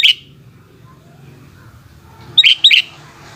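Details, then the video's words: Sooty-headed bulbul singing during the afternoon; a single liquid note opens, then silence, then a quick pair of bright, slurred whistles, with a faint low hum throughout. "Burung kutilang oceehan disore hari"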